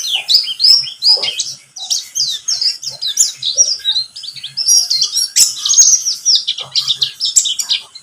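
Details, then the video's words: Buxtomi pleci, a white-eye, used as a lure to prompt singing. An unbroken stream of fast, high, chattering and slurred twitters continues, with a faint low hum beneath. "Pancingan pleci buxtomi agar bunyi"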